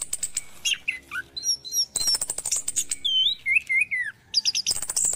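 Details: Morning song of an orange-headed thrush, used to coax caged birds into song: sweet slurred whistles dipping and rising, alternating with fast harsh rattling chatter and high thin squeaks.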